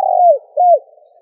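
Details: Spotted dove calling to lure wild doves: the end of a phrase, a steady low coo sliding down, a short pause, then one more low arched coo dropping away at the end. No other sounds.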